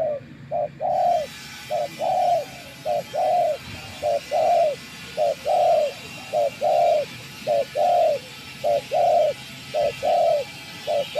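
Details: Spotted dove decoy, handled after many days out in nature, cooing steadily: paired hollow notes, a short one then a longer one, repeated about once a second in an even rhythm over a soft hiss.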